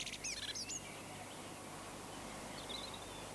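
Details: Common blackbird song, described as flute-like, in a British garden: a brief burst of high, twittering notes with a few clear whistles, then fainter warbling over steady background hiss.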